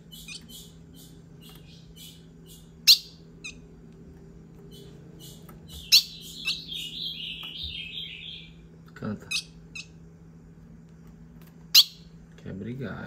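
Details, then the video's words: Two captive female Ultramarine grosbeaks, one held in the hand, around 6 pm, described as fighting and singing: high chips and short sharp notes, one brief warbled phrase near the middle, over a steady low hum and a voice at the end. "Femias de azulão brigando e cantando"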